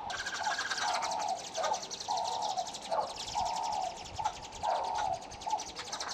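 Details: Red-billed (green) wood hoopoes feeding their chicks give short, steady mid-pitched notes, roughly one per second with brief harsher bursts, over a constant high insect buzz.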